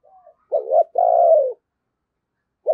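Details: Decoy spotted dove in the Tet season calling to lure wild doves: a faint note, then a hoarse double note and a long steady coo sliding down, with another coo starting after a pause.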